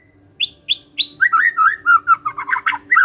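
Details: Magpie-robin (murai) singing gacor: three short high whistled notes, then a tumbling chain of fuller warbled and slurred whistles with a few harsher accents near the end.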